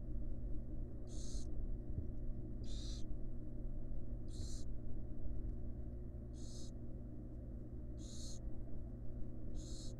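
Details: Barn owl chicks and their resting mother in a wild monitored nest box; six coarse hissing bursts spaced about one and a half seconds apart against a continuous low drone.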